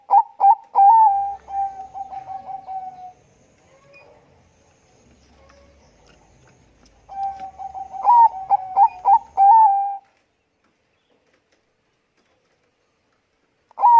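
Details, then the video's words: Zebra dove of the Bangkok type with a thick voice, singing two long phrases of rapid stuttering pulsed coos on a steady low pitch, separated by a quiet gap, with a long silence after and one note at the very end. "perkutut bangkok gacor suara tebal memanggil bunyi."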